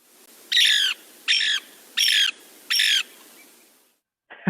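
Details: Lewis's woodpecker (Melanerpes lewis) call: four harsh, scratchy squawks, each about a third of a second long and spaced under a second apart, over a quiet background.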